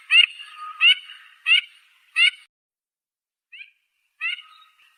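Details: Duck giving a steady series of four loud, raspy quacks about two-thirds of a second apart, then a brief pause, a faint short note and two more quacks; no other sounds heard.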